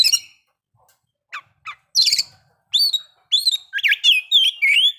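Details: Oriental magpie-robin song used to bring on breeding condition and aggression. A few scattered harsh notes, then from the middle a quickening series of clear, wavering whistles.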